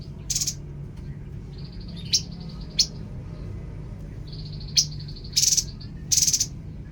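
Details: Babbler singing brief high chirps and quick trilled bursts, several seconds apart. Long steady high-pitched whistles run between them. A low hum sits in the background.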